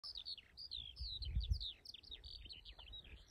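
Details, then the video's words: Single skylark singing: a continuous stream of high, rapid chirps, trills and short whistled slurs with no pauses, over low rumbling wind noise. "Single Singing Skylark"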